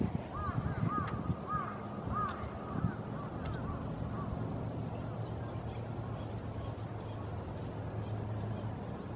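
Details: Northern pintail (Anas acuta) in winter, 25 January 2015, Japan: several soft, fluty rising-then-falling whistles in quick overlapping bursts over the first three seconds, then fading, over a steady low rumble of wind or water.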